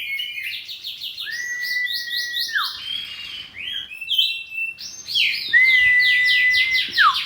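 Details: Oriental magpie-robin of the kacer poci form, kept at home, singing ngeplong in exchange: quick repeated chip notes laid over long, steady whistled tones that drop sharply at their ends, repeated in two rounds.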